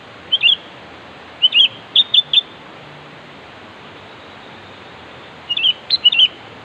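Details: Sooty-headed bulbul challenging a rival with bubbly whistled phrases: a slurred call, then a string of three crisp notes. After a three-second pause come two more lively slurred phrases, with steady hiss underneath.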